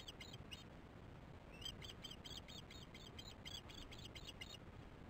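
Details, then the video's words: Osprey alarm calls at the nest during a poor chick feeding: two brief chirps, a pause, then a clear burst of about a dozen shrill, evenly spaced high whistled chirps, over a low steady hiss. "Not good feeding for chicks much alarm"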